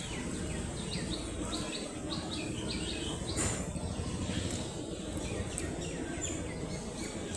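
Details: Baby ducklings in a brood, waddling and interacting, make a busy stream of shrill descending chirps, several birds overlapping, with a constant low background drone and one brief louder knock.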